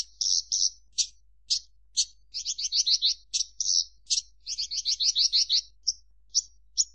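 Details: Rapid song of a Javan bush lark: clipped high notes spaced out at first, then quick rattling bursts of descending chirps, ending with a few isolated sharp notes.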